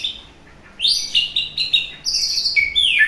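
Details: White-rumped shama giving what is described as coughing: loud high whistled and buzzy notes, several short steady tones followed by sliding notes that fall toward the end, in a quiet setting.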